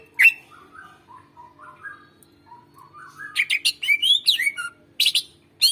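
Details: Greater green leafbird singing for prompting silent birds: a series of soft, lower whistled notes rising step by step, then a burst of bright, twisting chirps and sharp calls.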